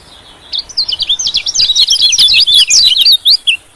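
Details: White-eye lure call used to attract small birds, especially white-eyes: a rapid, high twittering chatter of short, sharp, zigzagging notes that runs for about three seconds after a brief quiet start.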